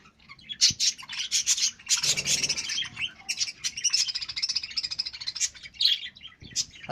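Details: A budgerigar colony chatters constantly in dense, high, scratchy warbles and chirps.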